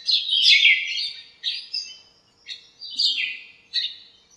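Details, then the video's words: Morning chirping from birds gathered in a backyard lemon tree: five loud, high, descending chirped phrases separated by short pauses, clear against a quiet background. "chirps at morning | backyard bird sounds"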